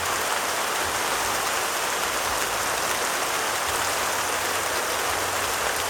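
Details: Dense, steady rain patters without a break, a bright rushing wash that hides any other sound.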